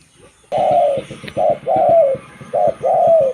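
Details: Zebra dove, local type, singing to lure other zebra doves; after a quiet start comes a loud trilled coo, then paired short and long purring notes, with faint clicking underneath.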